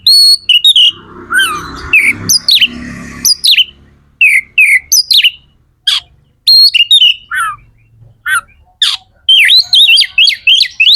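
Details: Energetic magpie-robin song meant to provoke other magpie-robins to sing: a rapid, dense run of loud, clear whistles, sweeping slurs and short chirps with barely a break, plus a brief soft buzzy passage near the start.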